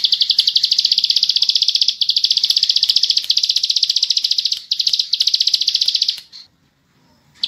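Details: A bar-winged prinia sings fast and continuously: high, buzzy chattering notes, about four per second, in long bursts with brief pauses before falling silent.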